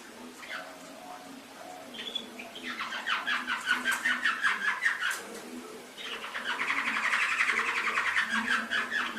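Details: Indonesian masteran canary song: a few soft chirps open, then a long rapid rattling trill, a brief pause, and a second dense buzzy roll growing louder toward the end.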